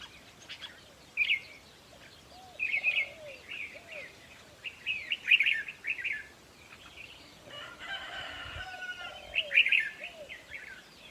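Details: Red-whiskered bulbul song used for decoy trapping and played to stir up birds: clipped warbling phrases every second or two. Softer low, arching whistled notes repeat underneath, and a harsher rasping burst comes near the end.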